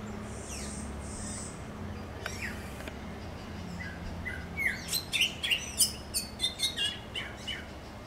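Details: Greyish saltator in a home garden gives a lively three-second burst of loud, clear whistled notes, some rising and some sharp; a faint high hiss and low hum come before it.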